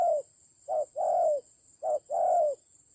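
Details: Spotted dove fighting a decoy bird in forested Central Highlands, Vietnam, October 2020: two and a half deep coo pairs, a clipped note leading into a longer slightly descending coo, over a faint steady whine.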